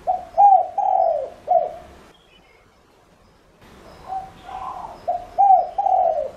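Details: Spotted dove used as a lure, calling to draw other doves: a phrase of four soft coos with a long drawn note, silence, then quieter coos building into another phrase.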